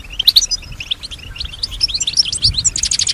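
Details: Female European goldfinch imitating surrounding sounds: a brief series of high, clear chirps and slurred whistles, quickening into a fast repeated trill at the end.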